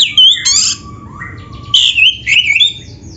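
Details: Oriental magpie-robin giving lively filler-packed song: a sharp harsh note, low slurred whistles, then a long rising whistle flowing into wavering, buzzy phrases.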